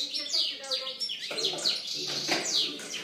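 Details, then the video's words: Song of a European goldfinch from 2013, a busy stream of bright, high chirps and quick downslurred notes, liquid twitters running almost without break. "Chant chardonneret"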